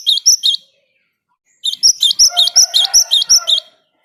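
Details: Java sparrow in full song, meant to stir other birds into singing: two sharp chirps, a pause, then a quick series of about ten ringing, evenly repeated notes with a faint lower warble beneath.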